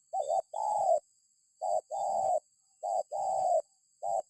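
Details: Spotted dove calling as a lure to set other birds off: a steady run of three-part coo phrases, a short doubled note then a long sustained coo, repeated roughly every second and a quarter.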